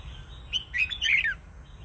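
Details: Red-whiskered bulbul, a wild-caught bird, delivering one loud, quick warbling phrase of rich liquid notes that slur up and down, ending in a falling note, against a low background hum.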